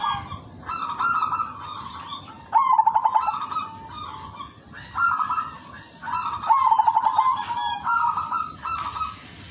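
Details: Female zebra dove of silver colour calling males as a decoy to set others answering: repeated phrases of level low cooing, each broken by a fast staccato run of pulses, about every four seconds, with a continuous thin high tone behind.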